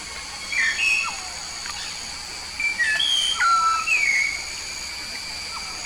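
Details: Papuan yellow-faced myna in full song, a string of short clear whistles, some rising, some falling, repeated about twice a second at irregular intervals over a constant hiss.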